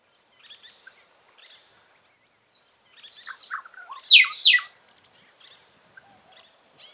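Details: Golden-winged cacique singing in the wild in Paraná state, Brazil: scattered soft chips and clicks build into a jumble of varied notes, peaking in two loud, slurred downward notes about four seconds in, then fading to sparse faint chirps.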